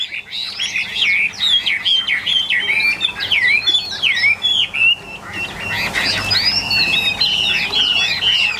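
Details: Caged tame Chinese hwamei, one of eight newly arrived birds, worked up and starting to sing: a rapid, varied run of loud whistled and slurred phrases, rising and falling, with brief gaps. Faint background noise throughout.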